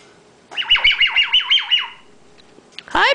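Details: Indoors, a 10-month-old female pet bare-eyed cockatoo produces her 'laser beam' noise instead of talking: seven rapid, shrill descending whistled sweeps in a steady series, then a pause and a final harsher swooping squawk.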